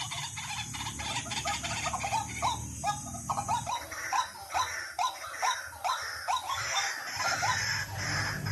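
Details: Lure recording of white-breasted waterhen: short, hoarse calls rise slightly and repeat rapidly at an irregular pace. Steady background noise runs beneath them, with a low hum in the opening seconds.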